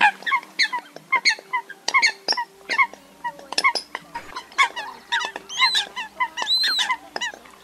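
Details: Eurasian coot lure for migrating birds caught in night nets, August 2024: dense strings of rapid nasal honks, with a few rising and falling whistled notes near the end and a low hum throughout.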